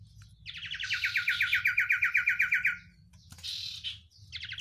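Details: Oriental white-eye singing a 'sirtu isian luber banyak pedes' style song: a long even trill of quick chipping notes lasting over two seconds, then a short buzzy burst and another trill start, low hum underneath.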